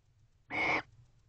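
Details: Single rasping screech from a barn owl at the nest box after returning at 9:25 pm on 24 November 2023; a brief, noisy, hissing cry with a thin shrill tone inside, against a quiet humming background.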